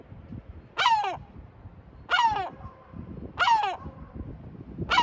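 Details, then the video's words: Sea gull at Batumi, Georgia, repeating a harsh downslurred squawk roughly every one and a quarter seconds, four calls in all, with low rumble behind. "Чайка морская,батуми | Sea gull,batumi | თოლია,ბათუმი| Gulls"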